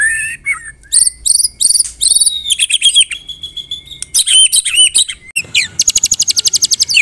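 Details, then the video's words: White-rumped shama of the Medan type delivering dense, screaming kretekan song in the morning, meant for training other birds: varied high chattering phrases and clear whistles, ending in a fast, even rattle of sharp notes. "KRETEKAN MURAI MEDAN MENJERIT NEMBAK RAPAT COCOK UNTUK MASTERAN DI PAGI HARAI"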